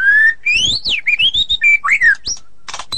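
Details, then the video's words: White-rumped shama in ngeplong style: loud, ringing whistled notes that climb and dip in quick succession, with a rasping buzz near the end. "Murai ngeplong dan ngeroll super rapet"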